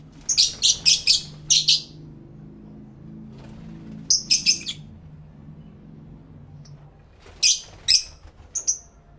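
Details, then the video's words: Pet lovebirds calling back and forth, recorded live in stereo with a camera and two external mics: rapid runs of five piercing, scratchy chirps, a pause, another quick cluster, then scattered sharp notes, with a faint low hum beneath. "1 Hour Lovebird Sounds High Quality Stereo Live Recording V3"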